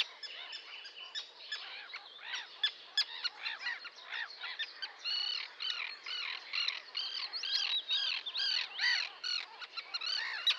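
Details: Sandwich terns giving a busy stream of short, harsh, rasping calls, several each second, overlapping from many birds, with occasional sharp clicks.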